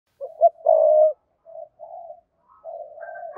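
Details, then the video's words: Spotted dove giving its urging coo to call in another bird: soft, low, hollow cooing notes, one longer held coo followed by shorter quieter ones after brief pauses, in an otherwise silent setting. "cu gáy thúc gù & gáy gọi bổi hay"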